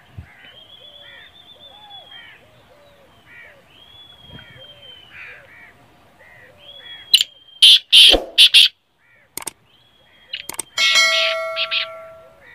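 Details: Black francolin (Francolinus francolinus), call.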